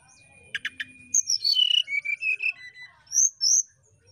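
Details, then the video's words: Brown-chested jungle flycatcher in flute-like song meant to provoke a rival. Three sharp clicks lead into a cascade of pure whistled notes sliding from high to lower pitch, followed by two high thin whistles. "Burung Sikatan Rimba (SRDC) Nyuling Memancing Lawan"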